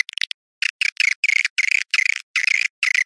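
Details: Awan hitam style swiftlet calling: a quick stutter of short clicks, then evenly spaced buzzy twittering bursts about three per second, cut cleanly by silences.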